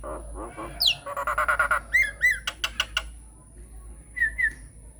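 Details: Nias hill myna singing vigorously as a lure for other mynas: gurgling low notes, a sharp downslurred whistle, rapid rattling chatter, bright upward-hooked whistles and clicks, then a pair of short whistled notes after a pause.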